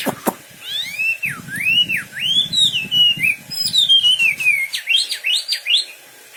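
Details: Wambi bird giving a lively whistled song: a sharp tick, then looping up-and-down whistles chained together, closing in quick V-shaped slurs, over soft low rumbling.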